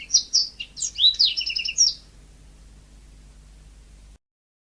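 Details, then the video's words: Yellow-fronted canary singing energetically in a natural setting: a quick two-second phrase of high, sweet whistled notes and rapid trills, then a quiet background hum. "Kicau burung mozambik gacor alami"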